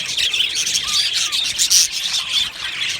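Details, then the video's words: Budgies in an aviary chirping in a busy crowd, high warbles and squawky notes layered densely, a couple of short lower whistled slurs and a loud bright chirp midway. "Australian Budgie singing birds video | Beautiful Budgie aviary chirping sounds"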